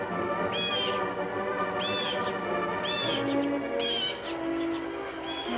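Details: A Blue Jay gives five loud, harsh, slurred alarm calls, roughly one per second, over steady orchestral music. It raises this alarm when a predator such as a Cooper's hawk lurks nearby, and other wild creatures become excited and join in.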